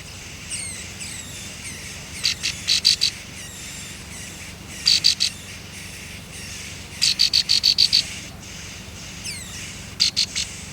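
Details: Baby birds on the nest calling while being fed by the parent: shrill, rasping chirp bursts in quick series, separated by a few seconds of quieter faint high notes over constant low hum.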